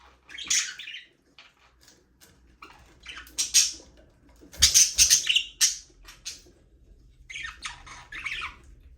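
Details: Several budgerigars in a small aviary, flying free, chatter in scratchy squawks and buzzy chirps, with loud bursts in the middle and further chirping near the end.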